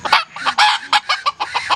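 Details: Red junglefowl recorded on a 2019 season-opening hunt, giving a rapid run of harsh, broad clucks, about eight short bursts in under two seconds, with little else audible.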